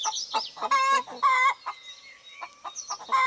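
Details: A rooster with hens outdoors, spring 2018: two strong, drawn-out harmonic calls come close together amid scattered clucks. A thin whistle from another bird runs across the middle.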